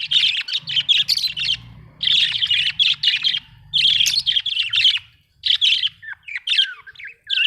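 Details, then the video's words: Budgerigar, described as Australian, giving lively, rapid, buzzy chirping in repeated bursts, with sliding whistled notes near the end and a faint low hum underneath. "Australian beautiful birds sound 😍 budgie chirping sound 🥰"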